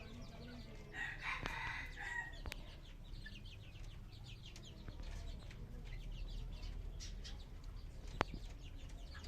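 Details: Red junglefowl crowing once at about one to two seconds, a harsh drawn-out note with stacked bands. Many small bird chirps and twitters fill the background over a steady low rumble.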